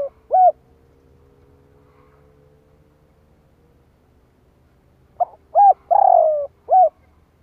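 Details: Spotted dove call for attracting wild doves: one short coo at the start, a long steady faint tone in quiet, then a full phrase of short, rounded, long falling, and closing coos.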